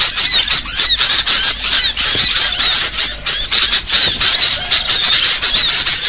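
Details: A lure for trapping small birds: busy high twittering with quick chirps and short squeaky sweeps, densely overlapping and continuous, with brief softer moments.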